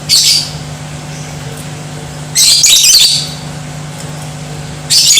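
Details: Lovebird song used to provoke other lovebirds into aggressive, lively singing; three loud bursts of high, scratchy chattering, each under a second long and separated by pauses over a steady low indoor hum.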